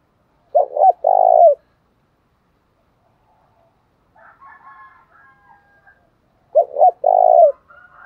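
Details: Spotted dove singing in the thổ pha đồng song style: two low cooing phrases about six seconds apart, each two quick short notes and then a longer, even coo. A fainter, higher warbling sound comes in between.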